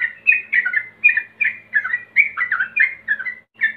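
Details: Male Yellow-vented Bulbul challenging a rival, played to make birds sing ropel-style: a rapid run of gurgling, warbled notes, jumping up and down, repeated almost without pause.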